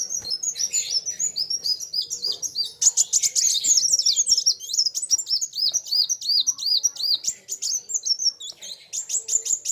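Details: Sunbirds (kolibri wulung) singing hard against each other: rapid series of high arched squeaky notes, dense overlapping chirps and brief buzzy trills, almost nonstop for ten seconds, with a faint hum underneath.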